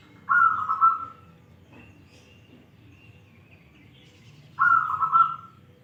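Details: Local wild-type zebra dove, noted for a crystal voice, giving two bright rolling trilled coo phrases about four seconds apart, each under a second long, with quiet low rumble between.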